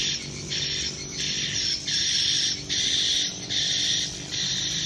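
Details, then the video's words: Swiftlets at a swiftlet house: dense buzzy twittering chatter in bursts of about half a second to a second, separated by short gaps, repeating steadily throughout, with a low background hum. "Rumah Burung Walet"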